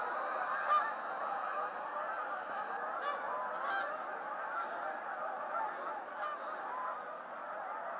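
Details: Hundreds of Canada geese suddenly take off at Appleton Farms on 24 January 2016, wintering in warm weather, filling the air with a continuous, overlapping chorus of nasal honks.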